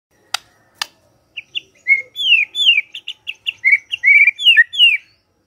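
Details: ['White-rumped shama morning provocation song meant to stir silent shamas into singing: two sharp clicks, then a quick run of clear whistled and slurred notes, some rising, some falling, in a lively irregular sequence.']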